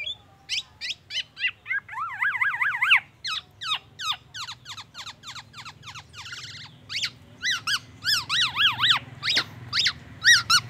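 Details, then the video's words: Black-naped oriole copying oriental magpie-robin song and an ambulance siren: repeated sharp whistled notes, a rolling zigzag siren-like warble, a brief buzzy burst, then ringing up-down whistles repeated quickly, over soft low hum. "KEPODANG EMAS TELER BONGKAR ISIAN MURAI BATU DAN SIRENE AMBULANCE"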